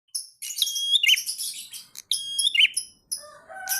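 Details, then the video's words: Bar-winged prinia singing vigorously in the ngalun style: bright, high, whistled and chattering phrases with sharp sliding notes, delivered in bursts separated by short pauses, with a lower warbled phrase near the end. "Prenjak Gacor Ngalun Syahdu"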